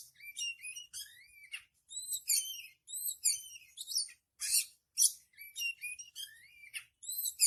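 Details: Oriental magpie-robin in nonstop, full-voiced song for training other birds: fast, varied phrases of rising and falling whistles mixed with scratchy notes, plus a few harsh bursts near the middle.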